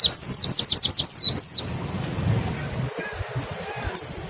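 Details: Mountain white-eye song used as a lure to stimulate singing: a quick run of six clear, high whistled notes, each sliding downward, then a pause with a low background rumble and a single matching descending whistle near the end.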